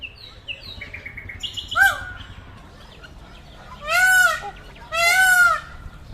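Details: Peacock giving one short nasal cry after a few thin high chirps from a small bird, then two long, loud, arching wails about a second apart.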